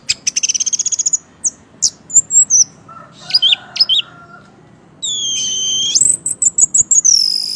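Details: Caged Orange-headed thrush singing energetically: a fast rattling trill, scattered high slurred whistles, then a long sustained whistled note breaking into quick repeated chips, with a faint lower hum.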